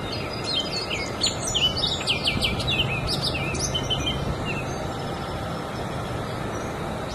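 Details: Orchard oriole (Icterus spurius), song.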